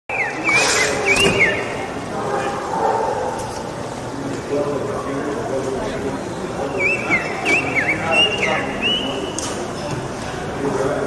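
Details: A northern mockingbird in Bogotá during the pandemic quarantine gives short bursts of quick, chirpy whistled phrases in two bouts, partly masked by steady traffic noise and voices.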